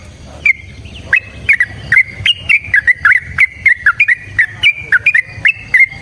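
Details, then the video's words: Yellow-vented bulbul delivering long fighting song, used to prompt other bulbuls to sing and answer: a steady chain of short slurred whistles with sharp clicking onsets, roughly three per second, at even pitch. "TRUCUKAN GACOR TARUNG ROPEL PANJANG Pancingan trucukan Agar Bunyi Jadikan Burung Trucuk Gacor Nyaut"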